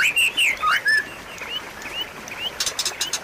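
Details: White-rumped shama song intended to get a non-singing bird going again: loud swooping and falling whistles, then soft rising notes ending in a burst of sharp clicks.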